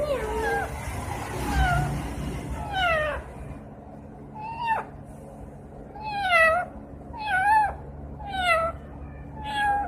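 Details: Talking parrot giving a series of drawn-out, harmonic calls that slide downward like a cat's meow, repeated roughly once a second after a rougher, noisy opening.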